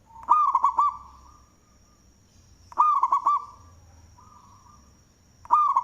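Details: Zebra dove, local Indonesian type with a big voice, cooing in manggung fashion for use as a lure. Three phrases of three or four quick rolling coos come about every two and a half seconds, with soft hums between and a faint high whine.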